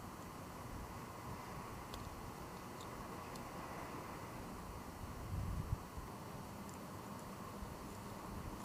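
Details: Steady low rumble with a few faint ticks and a short louder thump near the end, and no animal calls.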